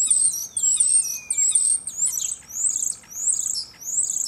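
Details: Male common starlings singing against each other from a cherry tree in Germany, imitating other animals: a rapid chain of very high, thin whistles and squeals, with one long sliding note descending early on.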